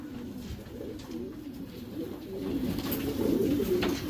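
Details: Domestic Racing Homer pigeons in a breeding loft, soft low coos that swell louder toward the end, with overlapping birds and background hum.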